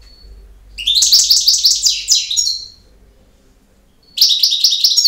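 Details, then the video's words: European goldfinch performing campero song: a quick phrase of tinkling, buzzy high twitters lasting about one and a half seconds, a pause of nearly two seconds, then a second rapid phrase begins. "El Jilguero BiH 18"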